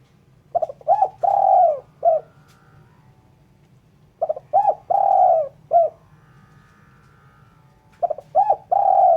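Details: Clean spotted dove calling, suited for luring birds: three cooing phrases about four seconds apart, each of two or three short low hoots followed by a longer, fuller coo and a brief final note.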